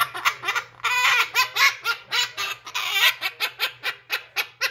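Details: Blue-crowned conure laughing in imitation: quick, evenly spaced chuckling notes, roughly four a second, some merging into harsh raspy bursts, indoors over a faint low hum.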